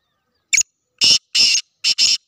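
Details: A Sindhi black francolin calls in full: a short scratchy note, a pause, two drawn-out harsh grating notes, then a tight double note to finish, all loud and close.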